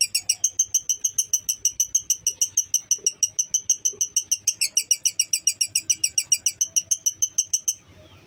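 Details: Clear-voiced lovebird giving long ngekek chatter, played to stir emotion and fighting drive in other lovebirds: a fast, regular train of shrill, buzzy chirps about three per second, stopping abruptly near the end.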